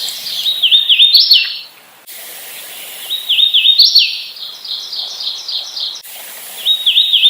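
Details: Hooded warbler (Setophaga citrina), song.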